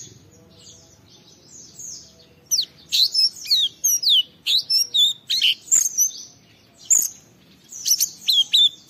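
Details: Lively 'gacor' song of an Oriental white-eye, meant to provoke rival white-eyes into singing: quiet opening, then a fast run of sharp, high twittering notes with downward slurs, broken by brief gaps.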